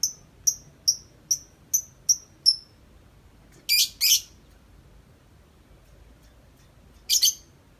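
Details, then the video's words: A tame lovebird, out of the cage, chatters in the 'ngetik' style: seven evenly spaced shrill chirps, then two harsh, buzzy bursts and a pause before one more rasping note. "Lovebird Jinak Ngetik Panjang Nonstop 10 menit di luar Kandang"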